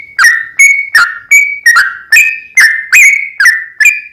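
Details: Continuous rapid song of a sooty-headed bulbul, played to coax a rival into song: a steady run of ten clear whistled notes, each sharply struck, alternating slightly higher and lower.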